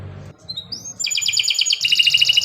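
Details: Canary delivering a 'gacor' song fit for training other birds: thin rising whistles climbing into a rapid pulsing double-toned high trill, over faint low rumbling.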